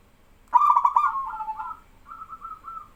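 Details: Male local zebra dove in energetic song, stirring other doves to join in. One loud stuttering coo opens, then slides into a long, level purring trill that fades into quieter answering coos.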